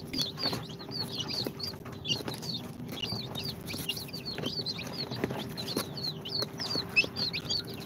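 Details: Day-two chicks fresh from an incubator, Sultan, Golden Sebright, Cochin and booted breeds, call in a dense mass of high downslurred peeps, about one per second from each caller, over light scratching and a low constant hum.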